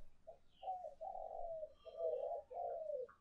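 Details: Spotted dove calling coo from a lure recording: soft, low, continuous cooing notes run together with slight wavering, quiet overall, with faint higher chirps of other birds and a low background hum.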